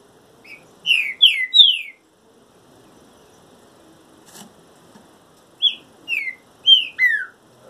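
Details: A trinca-ferro in moult sings clear whistled phrases of three to four falling, slurred notes, then after a pause another group of four descending whistles; quiet background.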